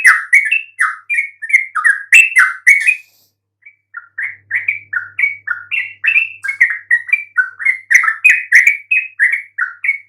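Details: Yellow-vented bulbul chatter intended to draw replies from quiet bulbuls: lively, rapid warbling notes, a brief gap around the middle, then another energetic bubbling sequence of rising and falling phrases.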